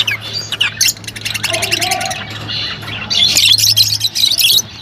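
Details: Rosy-faced and Fischer's lovebirds, chirping to stimulate mating, give quick stuttering clicks and squeaks that swell into a loud, screechy burst of chatter, with a low hum underneath.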